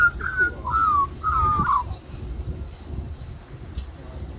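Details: Magpie singing for mango at lunchtime in Cirillo Reserve, Middleton Grange, New South Wales, Australia. Three loud whistled notes, the last slurring downward, followed by quiet with only low background rumble.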